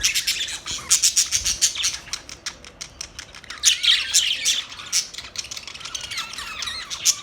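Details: Budgerigars chirping: dense, rapid, scratchy high chatter with bright clicks and warbles in irregular bursts, several quick notes per second, with short dips between phrases.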